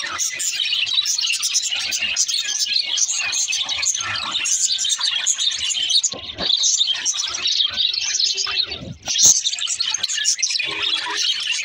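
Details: Budgerigars giving dense, continuous high-pitched chatter, with overlapping chirps, squeaks and warbling throughout and no clear break.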